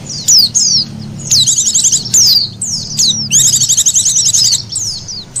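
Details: Oriental white-eye call for luring birds: sharp high downward slurs followed by a long, fast, rattling chirp sequence.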